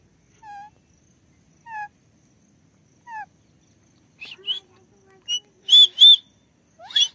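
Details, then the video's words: A pet Alexandrine parakeet, with its voice recorded for the first time, gives three short, falling whistled notes about a second apart, then a burst of louder, harsh, high-pitched squawks and mimicked talking sounds. "Alexander parrot clear shound!! Beautiful Nature Parrot Talking"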